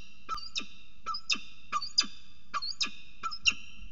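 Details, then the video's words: Northern goshawk mating at the nest edge on a water tower at Axel, February 2018, giving sharp, nasal, ringing calls about every half second, some with a short rising squeal, over faint low hum. "Paring Op Rand"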